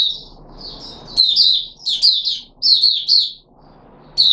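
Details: Puteh Raja red-whiskered bulbul in a cage, 13 April 2021, after fruit juice and one mealworm: a thin drawn note, then three quick bursts of tumbling chirpy notes, ending abruptly, with faint hiss.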